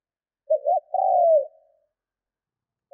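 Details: Decoy spotted dove in training cooing: one clear phrase of two brief low notes then a long soft descending coo, followed by quiet and the first note of another phrase.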